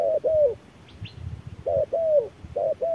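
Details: Spotted dove answering a decoy machine in midday sun during a calling duel. Double coos, a short note then a drawn, falling one. A brief higher chirp and some low rumbling fill the gap between phrases.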